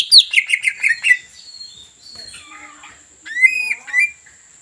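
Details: Greater green leafbird in a provoking song meant to make a rival sing: a quick burst of descending whistled notes, softer varied warbling, then a few louder slurred whistles.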